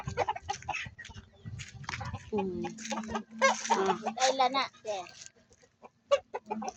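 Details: Rhode Island Red chickens, kept on a farm alongside turkeys, cluck in quick, uneven bursts of nasal, rising and falling notes while a man talks over them.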